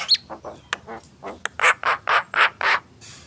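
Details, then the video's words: Javan myna giving a short series of hoarse, rasping notes repeated about four times a second, preceded by a thin high whistle and a few clicks. "jalak kebo gacor"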